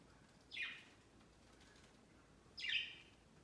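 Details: Pet budgies flocking on a large Christmas tree set beside their cage on Christmas Day, their first Christmas. Two quiet, high chirps that sweep downward, about two seconds apart, over a faint room hiss.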